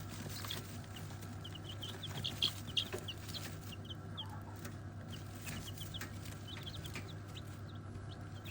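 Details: Chickens at lunchtime feeding give quick, high cheeping notes in uneven bursts, with a few lower clucks, over a steady low hum.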